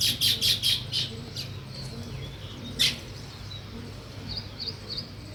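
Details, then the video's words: Weaver birds chirp while building a nest: a quick series of about five loud, high, scratchy chirps, one more sharp note, then softer thin twittering near the end, over a low background hum. "Sparrow Chirping Sounds, |Weaver Birds Building Nest"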